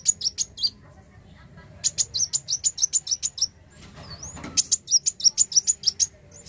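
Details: Black sunbird delivering runs of brisk, sharp, high notes in steady succession, with a brief swooping whistle and a soft rustle between the bursts.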